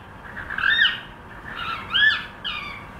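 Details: Cockatiel trying to sing, giving three harsh, squawky whistled phrases about a second apart, each sweeping up then down, the last one shorter and thinner.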